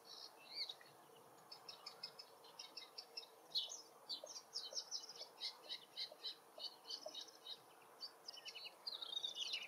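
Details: Distant Woodchat shrike singing in its forest habitat, a continuous chattering warble of rapid high chirps and brief whistles, some notes sliding, over steady faint background noise.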